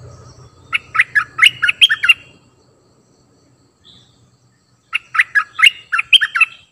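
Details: Cream-vented bulbul used as a new decoy bird gives two bursts of quick, bubbly, chattering notes around mid pitch, each lasting over a second, separated by a short pause.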